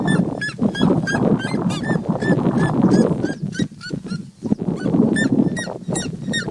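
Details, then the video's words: Trio of red-legged seriemas vocalizing freely in nature while sunbathing, giving rapid series of loud yelping, dog-like notes that overlap between birds, briefly pausing midway, with constant low rumble underneath. "Lindas seriemas vocalizando (TRIO)"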